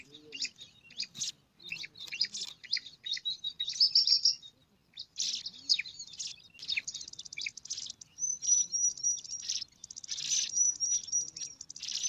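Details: Five bar-winged prinia chicks compete for food at a nest in alang-alang grass, giving dense bursts of high, thin chirps and squeaky notes, with a few sustained whistled strands near the end.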